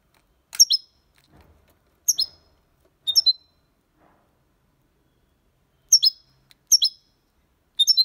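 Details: European goldfinch in copia Málaga song style, used to stimulate young birds; sparse high chirped phrases of two or three sharp, downslurred notes, delivered in six bursts with quiet pauses between them.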